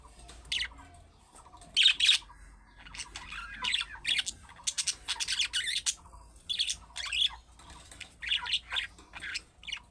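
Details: Budgerigar calling, played to prompt pet budgerigars to answer; loud bursts of harsh, scratchy chirps and squawks in irregular clusters, with brief quiet gaps and soft warbling between them.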